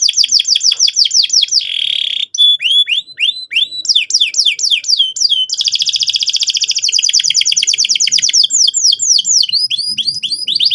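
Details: Lure song of a vigorously singing canary meant to start young birds rolling: fast series of high descending whistled notes, a buzzy roll, then long rapid trills repeated without pause, loud and clear.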